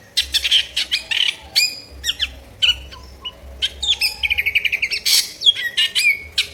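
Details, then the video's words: Vigorously singing drongo with a coarse-voiced repertoire, used to tutor songbirds: varied rasps and whistles, then a fast stuttering run of repeated notes, ending with sharp whistled slurs. "Sri Gunting Gacor Isian Suara Kasar"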